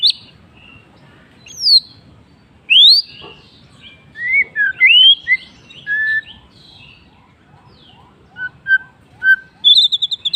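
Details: White-rumped shama singing in the afternoon: a varied run of loud, clear whistled phrases, sweeping up and down, with scattered chirps and quick rapid notes near the end, over a quiet low background.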